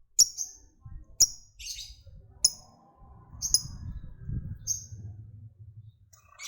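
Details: Lovebird of fighter type giving high, clipped ticking chirps meant to rouse other lovebirds to trill. About five piercing notes fall near one per second, then fade into a spell of low rumbling noise and a faint whine.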